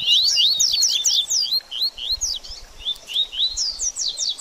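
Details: Double-collared seedeater singing the baderninha song style, used to stimulate a bird after moulting: quick high slurred and zigzag notes in a dense run, a brief lull near the middle, then a second rapid burst.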